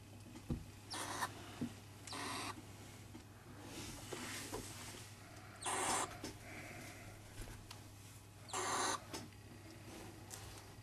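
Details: Two-week-old barn owl chicks in care, around feeding on mice, give harsh, breathy hissing snores of about half a second each, spaced irregularly every few seconds, over a steady low hum and soft clicks.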